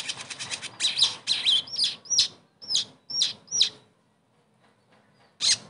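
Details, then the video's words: Caged ashy tailorbird (sogon) sound played as therapy for a bird that has stopped singing: rapid high ticks, then about seven sharp down-slurred chirps roughly half a second apart, a pause, and one final chirp. "TERAPI SOGON MACET langsung GACOR DENGAR PANCINGAN INI"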